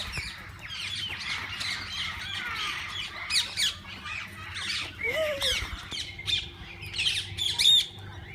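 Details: Several kinds of parakeets in a walk-in aviary at a parrot zoo, where visitors feed and hold them: a dense flock of overlapping shrill squawks and chirps, with brief bursts louder, and faint human voices underneath.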